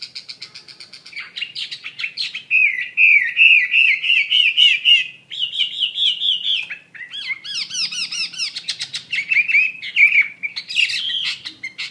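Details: Chinese hwamei pouring out a varied song: rapid clicking notes, long rolling warbled trills, then high arched sweeps and fast whistled runs, continuous and energetic.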